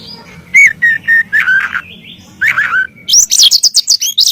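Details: White-rumped shama master song for bird training: flowing whistled notes, downslurred phrases and a soft held tone, ending in a fast run of very high, sharp notes.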